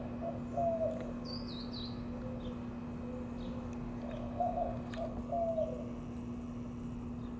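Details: White-winged dove during a mating display in Mesa, Arizona, April 2022, gives low, hooting coos in short phrases, one early and two close together near the end, with a higher whistling bird and a steady hum behind.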